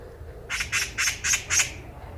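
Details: Eurasian magpie chattering on a walking path in Korea: five evenly spaced, hoarse, rasping notes delivered in a little over a second.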